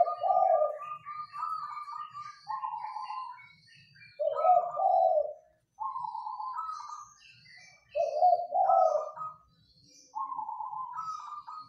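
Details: Singing local zebra dove in a Mataraman rattan cage: clear cooing phrases, each a throaty trilled coo followed by stepped, slightly higher notes, delivered in bursts roughly every four seconds with brief silences between.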